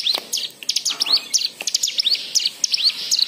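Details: White-eye song used as a lure to prompt other birds to sing, with richly varied fill phrases: rapid, high, thin twittering of short rising and falling whistled notes, about one per second in loose bursts, nearly unbroken.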